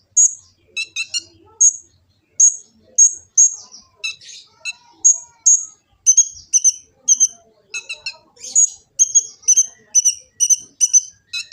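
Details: Kolibri ninja sunbird from Gresik, East Java, recorded by Android phone as a lure and master song; high-pitched clipped chirps in short groups with pauses, some buzzy rattles, quickening into repeated sharp notes toward the end.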